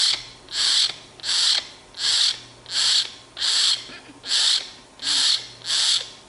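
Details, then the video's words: Tame young hill myna wanting bread keeps up a rhythmic string of eight coarse, hissing rasps, about one every 0.75 seconds, over a low steady hum. "Anak Beo Ngambek Mau Makan Roti"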